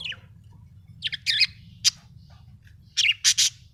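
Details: Happy budgerigar chirping in short bursts of warbled, scratchy high notes, a pair of quick chirps, a sharp single note, then a final cluster of rapid buzzy chirps over a low background hum.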